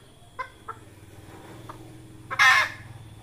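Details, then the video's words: Red junglefowl hen giving a trapping lure call: three sparse, soft clucks spread over two seconds, then a sudden loud, broad, rasping squawk, with a low steady hum in the background. "Tiếng gà mái rừng"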